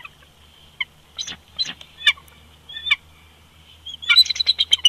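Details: Pair of bald eagles calling together at their old nest snag, Big Bear Lake, California, February 2020, in winter: scattered sharp high yelps, then a fast giggling run of piping notes at the end, over a faint low hum.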